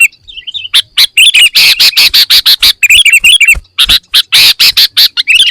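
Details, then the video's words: Sooty-headed bulbul full fill-in song: rapid harsh, loud bursts interleaved with bubbly whistled trills, almost continuous with a brief pause midway. "Suara Kutilang Full Isian - Biar Makin GACOR"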